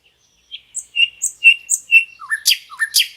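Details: Nightingale song in lush forest with a river nearby: a steady series of clear, high whistled notes roughly every quarter second, shifting to lower slurred notes mixed with sharp, harsh chirps.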